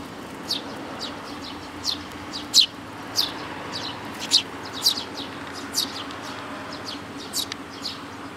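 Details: Eurasian tree sparrows with chicks, giving bright, brief chirps spaced unevenly, about one every second or two, some louder and closer, against a constant low background hum.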